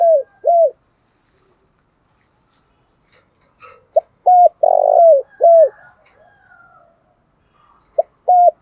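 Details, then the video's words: Spotted dove, 'thổ pha đồng' singing style, giving low hollow coos. The end of one phrase, then after a pause a full phrase of short notes, a long vibrating coo and a falling note, then another phrase begins. The background is quiet apart from faint soft sounds. "cu gáy giọng thổ pha đồng"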